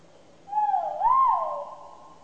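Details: Single loud call of a Great argus: a level whistled note sliding into a higher, arching second note that fades out, with a ringing echo against quiet background hum.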